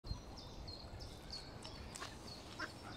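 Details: Mallard (Anas platyrhynchos) ducklings give thin, high peeping notes, several short cheeps in quick succession, as the mother watches over them, over a steady low outdoor rumble; Smithpool, Stoke on Trent, 19 April 2022.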